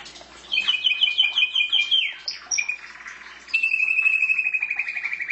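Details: Canary kept at home giving a quick repeated double-note trill, a downward slide, then a long, even, rolling trill lasting nearly two seconds.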